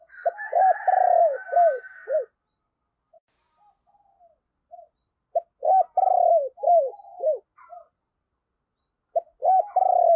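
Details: Decoy spotted dove with a thunder-deep 'sấm bầu' voice, used to lure wild doves: three loud phrases of clipped notes, a long burred coo and falling notes, quiet gaps between, brief chirping at the start.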